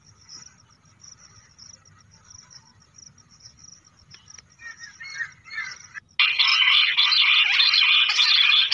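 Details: Bush quail calling in the lahori awaaz style, used when hunting quail: a faint, scattered twitter builds slowly, then a loud, dense, harsh chattering burst erupts and continues steadily to the end.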